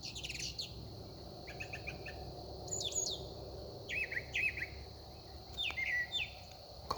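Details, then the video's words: At sunset one talkative songbird runs through varied phrases: sweeping high whistles, quick chirp clusters and descending slurred notes, each group different from the last, with soft steady background noise. "Sunset with a Very Vocal songbird. In 20-30 seconds, I don't think he repeated anything."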